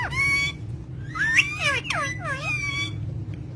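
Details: Parrots, called talking green parrots, give harsh harmonic squawks and bending calls, several swooping down in pitch, in three main bursts over a low constant hum.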